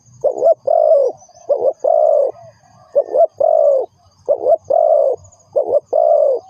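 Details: Spotted dove, a lure bird for trapping, repeating a short-then-long coo about five times, each phrase warm and hollow, with a faint low rumble underneath and a thin high hiss.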